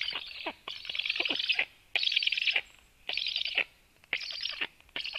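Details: Black woodpecker recorded at 13:06 as the female arrives with plenty of food; loud, grating, buzzy bursts of about half a second to a second, repeated roughly once a second with short silent gaps.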